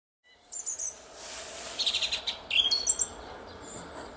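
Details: Song thrush singing in a garden at Szalkszentmárton, Hungary, at 06:15 on a spring morning, 10 April 2021: short bright high phrases, a pair of notes early, then a rapid run of clipped notes and a few sharp whistles.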